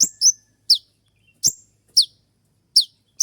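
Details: Konin trotol, the spotted kolibri ninja, firing its sharp 'shot' notes for training other birds: six or seven very high chirps that slur downward, spaced irregularly over three seconds.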